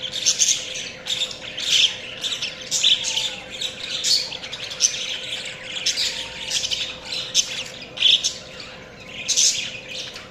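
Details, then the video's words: Chirping budgies produce repeated loud bursts of harsh, high chatter and squawky notes roughly every second, separated by short quieter gaps, with a faint constant hum. "Budgies Chirping sounds"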